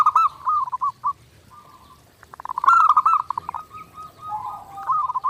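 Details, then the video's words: Clear training recording of a zebra dove (perkutut) singing nonstop: short rolling coo phrases, a soft sustained tone, a pause, then a louder bubbling run of quick notes and a final trill. "SUARA PERKUTUT GACOR NONSTOP | MASTERAN PERKUTUT JERNIH UNTUK LATIHAN HARIAN"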